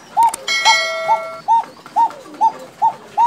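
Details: Bashiraj koka pigeon, a fancy breed from Tangail, Bangladesh, calling in a run of short, evenly spaced, rounded notes; a brief steady whistled tone sounds alongside near the start.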